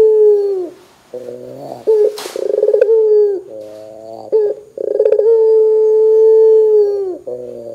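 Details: Loud Barbary dove coos, used to prompt other doves to answer. Long level tones end in a downward droop and alternate with quicker stuttering, pulsed phrases, with one brief rustle midway.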